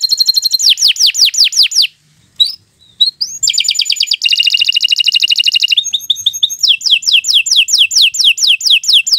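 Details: Canary singing a long lively training song: fast descending whistled syllables, a brief pause with scattered chirps, then a dense rattling trill, clicking notes and renewed runs of downslurred whistles repeated about three per second.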